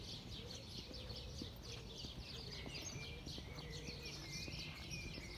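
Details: Several house sparrows in El Retiro park, Madrid, 18 April 2020, during the coronavirus lockdown, chirp at once in a steady tangle of short, high, overlapping cheeps over a low rumble with faint voice-like tones.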